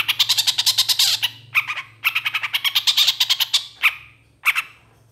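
Long-tailed shrike giving fast, harsh, scratchy chattering bursts of rapid notes, broken by short pauses and a few squawks; a faint low hum runs underneath.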